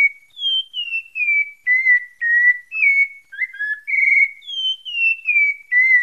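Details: Pale-breasted thrush song recorded in Santa Fé, Bahia, a steady stream of pure whistled notes roughly two per second, alternating higher falling slurs with lower level tones, nothing else audible.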